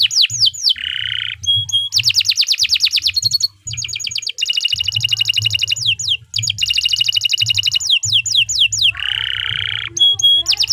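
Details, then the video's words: Canary in long continuous gacor song, used as a master recording for training other birds: rapid buzzy trills alternating with bright whistled notes and short broad harsh bursts, sung almost without pause, over a faint low hum. "Suara Burung Kenari II GACOR PANJANG Cocok untuk Masteran"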